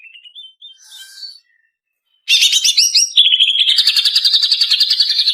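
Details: Greater green leafbird female, lure recording for training caged birds: soft slurred whistles, a pause, then a loud dense chattering phrase that runs into a long buzzy trill.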